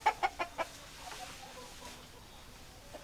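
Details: Chicken clucking: four short, sharp clucks in quick succession at the start, then near silence with faint background noise and one more cluck right at the end.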